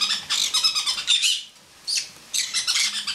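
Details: Laughing male pineapple conure perched on a person's head indoors; quick series of bright stuttered notes, a short pause, then another burst of chattering pulses.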